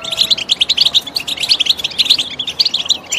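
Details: A lively goldfinch twitter: a dense string of bright, clipped chirps and short trills repeated several times a second without a break.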